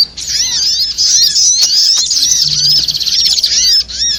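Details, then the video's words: Trapping lure featuring the little spiderhunter (sogok ontong): an almost continuous stream of piercing high chirps and trilled notes, fading briefly near the end. "suara pikat burung sogok ontong"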